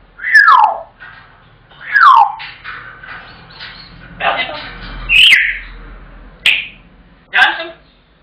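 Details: African grey parrot kept as a pet, shouting for its tea after its owner arrives home: two loud falling whistles followed by a run of harsh squawks and short sharp calls, indoors.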